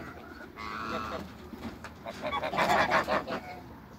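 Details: African and Toulouse geese kept on a farm give a few drawn-out honks, then a louder burst of overlapping harsh calls before quieting down.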